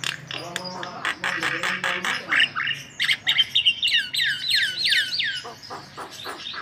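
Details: White-vented myna singing energetically, used as a lure for other birds: dense rasping chatter gives way to looping whistled phrases and sharp clicks, with a low hum underneath.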